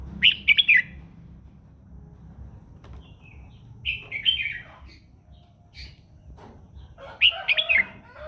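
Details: Morning song from a red-whiskered bulbul, meant to train its voice and prompt other birds to sing: three separate loud bubbly phrases, a few seconds apart, with faint chirps between.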